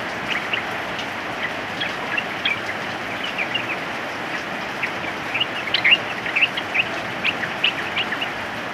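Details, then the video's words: Rain-soaked yellow-vented bulbul song: scattered quick chirps and bubbly notes, thickening toward the end, half-buried under constant rain hiss. "SUARA TRUCUKAN SAAT HUJAN"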